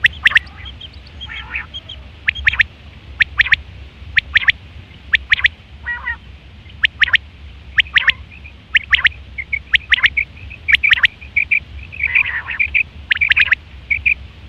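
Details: Quail recorded September 2023, the call used for hunting and mating: quick triple-note bursts recur through the recording, mixed with softer chirps and short twittering notes, over a constant low background drone.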